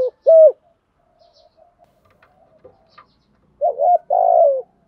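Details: Spotted dove kept as a lure for wild doves: a single short rounded coo, a quiet gap with faint clicks, then a wavering note leading into a long buzzy coo.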